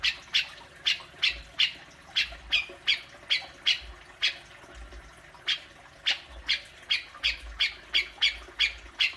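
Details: Grey-cheeked bulbul uttering its fierce besetan, played to spark calling from a kept bird: near-continuous series of harsh squawks, roughly three per second, with short breaks and slight variation in loudness.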